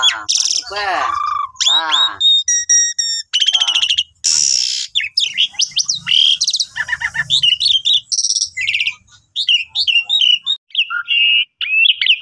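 An Asian pied starling pours out a varied song of loud whistles, harsh chatters, buzzy notes and quick repeated chirps, changing phrase every second or so.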